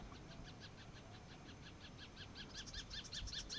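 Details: Crested caracara in open field at dawn giving a rapid series of harsh, rattling clicks that grow louder toward the end, over a low rumble of wind or distant traffic.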